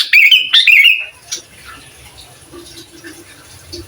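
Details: Sooty-headed bulbul song intended to provoke other bulbuls, for training birds: two quick bright warbled whistles in the first second, then quiet background with a faint low hum.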